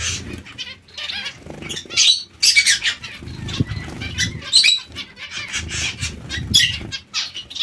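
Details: Zebra finches in a colony: irregular bursts of high, nasal chirping from several birds, alternating with quieter gaps and the dull fluttering of wings.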